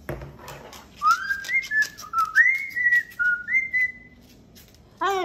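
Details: Male pet cockatoo whistling indoors: a string of clear, tuneful whistled notes, some rising and some held, delivered in quick phrases with short pauses, then a brief harsh sound at the very end.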